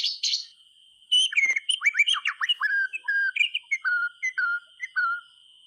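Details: White-rumped shama song, played to prompt quiet caged shamas into singing: a brief high burst, then a run of clear whistled notes, some rising and some falling, ending in steady level whistles, with a faint constant high tone throughout.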